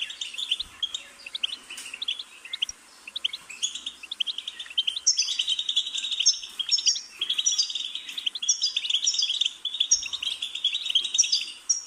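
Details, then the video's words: Continuous goldfinch song: rapid chattering phrases of clipped, liquid notes mixed with twangy trills, swelling and fading in bursts, with a few faint thumps underneath. "Goldfinch's Singing"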